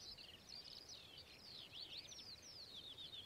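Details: Whinchat singing: a continuous, fast run of scratchy, twittering notes with quick up-and-down sweeps, high-pitched and unbroken for the whole stretch, over faint low background hiss.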